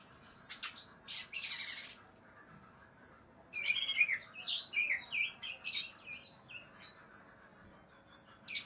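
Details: Aggressive greater green leafbird seeking an opponent gives two bursts of high, scratchy, buzzy notes mixed with sharp whistled slurs. A quiet pause separates the bursts, and a low steady hum runs underneath.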